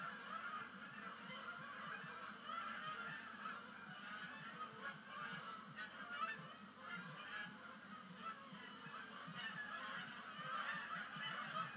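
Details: Migrating Canada geese at Sapsucker Woods Pond during the first sunset splashdown of the year, 5 October 2019; a long, continuous murmur of overlapping honks, rising and falling gently, with a few louder calls toward the end.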